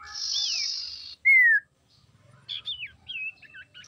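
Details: Female common iora song, used to lure and provoke males: a buzzy high rattle, a loud falling whistle, then a string of quick looping and wavering whistled notes.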